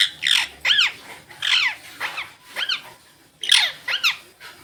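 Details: Indian ringneck parakeets, green birds out in the sunlight, chatter with repeated harsh down-curving squawks, often paired, roughly two each second, with brief gaps between bursts.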